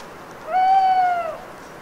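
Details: Mournful owl song at night, the bird alone in a Cévennes foothill forest in autumn after prolonged rain; a clear sustained hoot under a second long, gently rising then sliding down, amid faint dripping.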